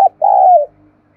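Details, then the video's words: Spotted dove cooing to provoke wild doves into answering: a brief clipped note, then one drawn-out, low, steady coo that slides down at its close, in quiet surroundings. "tiếng cu gáy thúc bổi sung"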